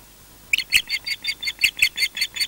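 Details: Osprey defending its nest at Loch Garten, Scotland: a steady series of ten shrill, piping whistled notes, evenly spaced at about five per second, with a quiet background.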